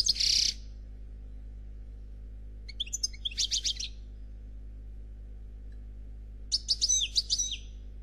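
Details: A black European goldfinch gives short phrases of its faultless Khalwi song: a brief buzzy burst at the start, a trilled phrase near three seconds, and a twittering, sliding phrase near seven seconds, with quiet gaps and a low hum between.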